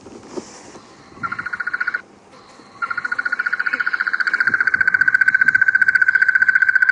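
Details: Crested Barbet call played back from a device by a guide on a sunset safari drive, April 29, 2016: a short burst, then a long, steady, rapid, monotonous trill like a muffled alarm clock, over faint hiss.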